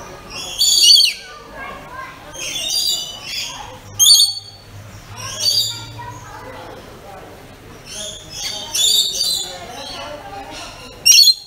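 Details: Pet rainbow lorikeets, described as making the loudest calls, produce a steady series of shrill, grating screeches and squawks every second or two, some doubled, with brief quieter gaps.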